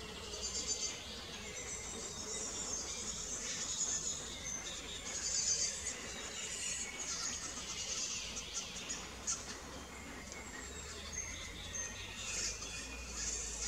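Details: Middle spotted woodpecker young at a nest cavity being fed by a ringed adult, forest near the Gotisches Haus, Bad Homburg, Germany, 31 May; steady, high, buzzy chatter swelling and fading in bursts over soft hiss.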